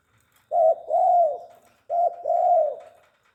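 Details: Tame spotted dove repeating a two-part coo twice, a clipped opening note and a longer arched, hollow note, spaced about one and a half seconds apart.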